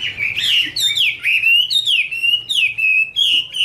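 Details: Singing female Chinese hwamei with a male behind her: clear whistled phrases sliding down and then holding steady, each about half a second long, delivered in a steady series.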